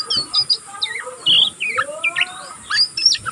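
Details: Oriental magpie-robin, a juvenile still learning to sing, gives quick high chirps and squeaky slurred whistles in short bursts, with a long soft rising whistle in the middle.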